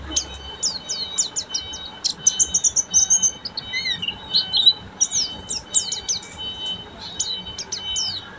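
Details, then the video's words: Oriental white-eye, called pleci buxtomi, in full ngeriwik singing style: rapid high thin twittering of short sweeping whistles and trills, dense chattering phrases throughout with brief pauses, steady faint hum beneath. "SUARA BURUNG‼️PLECI BUXTOMI FULL NGERIWIK"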